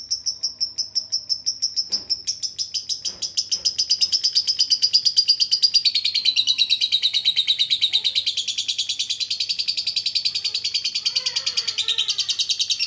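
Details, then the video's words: Lovebird moving from 'ngetik' ticks into 'ngekek' trilling on a master recording for lazy birds: high pulsed notes build into a continuous buzzy rattle that swells louder midway, with faint lower twittering sweeps later. "MASTERAN NGETIK LANJUT NGEKEK // PANCINGAN LOVEBIRD YG MALAS BUNYI DAN LABET JADI RAJIN DAN GACOR"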